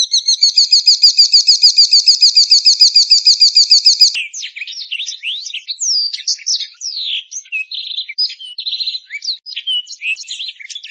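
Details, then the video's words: White-rumped shama (murai) in song: a rapid run of high repeated notes, about three per second, for four seconds, then a rich, varied stream of short whistles, slurs and chattering phrases, clean and loud. "kicaunya murai ini luar biasa"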